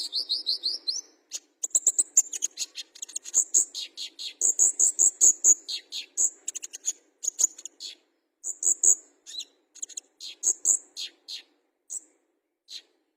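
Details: Fighter olive-backed sunbird singing energetically: a rising wavering trill opens, followed by rapid high chips, sweet thin whistles and buzzy notes in a long continuous outpouring.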